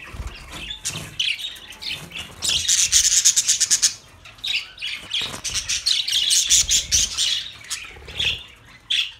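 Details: Budgerigars kept as pets, several birds chirping in dense, buzzy chatter with rapid high twitters and scratchy warbles, bursts clustered between two and eight seconds, short quieter pauses between runs.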